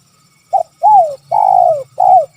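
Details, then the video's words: Spotted dove calling in the kuk 3 style: a short note, then three arched, mellow coos, the third one long and drawn out. "Suara Panggilan Tekukur Kuk 3"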